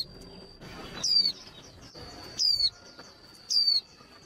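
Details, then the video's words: Female white-eye song used to fire up male birds for singing contests: three loud, high, thin whistles, each sliding downward, repeated about every 1.2 seconds over a steady high tone and soft background rustling. "Tiếng khuyên mái kích trống nhanh líu"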